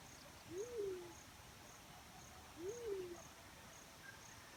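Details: Black-chinned fruit dove calling in natural surroundings: two low, mellow coos, each rising briefly then drooping away, spaced about two seconds apart over a quiet hiss of background insects.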